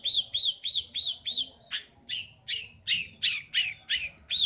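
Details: Long-tailed shrike kept by a father, heard as entertainment after coming home from the rice fields: five arched, whistled notes at about three per second, then a run of harsher, buzzier notes at the same pace.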